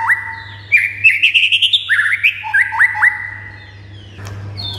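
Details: White-rumped shama song meant to stir silent shamas into answering and getting excited. It has clear whistled notes, a rapid run of rising chirps in the middle, then sliding upswept whistles, over a steady low hum.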